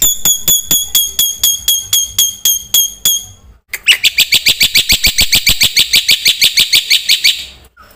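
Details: Black-winged myna in lively gacor song full of isian fills, used as a lure and master for training birds: a run of ringing, harmonic piping notes about three per second, then an abrupt fast series of buzzy, rasping notes about four per second, ending suddenly.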